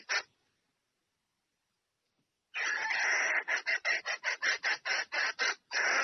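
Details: Female red junglefowl calling the male to come and mate: a short harsh note, a pause, then a loud rasping run of rapid clucking bursts, roughly two per second and uneven.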